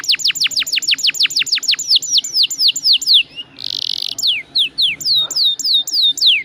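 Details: Atlantic canary song with long rolls, recorded to prompt other canaries to sing: rapid falling whistled notes about four per second, a brief harsh buzzy burst, then more slurred downward notes at a slower pace.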